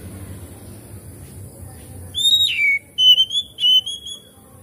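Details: Oriental magpie-robin, played as a lure so a quiet bird sings and opens its tail: silence at first, then pure high whistles, one falling slur followed by several short level notes in a quick run.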